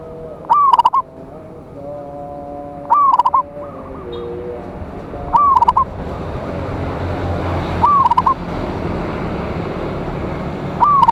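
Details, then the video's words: Local zebra dove calling rivals with a strong voice: five repeated phrases about every two and a half seconds, gliding coo plus stutter, while a faint second bird coos softly in the background. "Perkutut Lokal GACOR suara Besar Ampuh memanggil Lawan"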